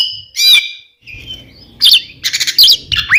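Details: Oriental magpie-robins, a twin pair, singing to provoke rival birds: a scratchy opening note, a quiet stretch with low background rumble, then loud buzzy warbling bursts and a final upward slur.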